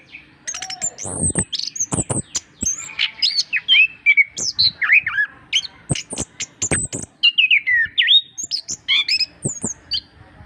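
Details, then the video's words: Orange-headed thrush in a master recording for spurring reluctant birds to sing: a fast, varied stream of sharp whistles, slurred high notes and clicks with short gaps, some notes reaching very high, over a faint low hum. "masteran anis kembang gacor untuk perangsang burung susah bunyi"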